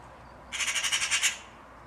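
A magpie gives a harsh, rasping chatter of about eight quick pulses in under a second over a quiet outdoor background.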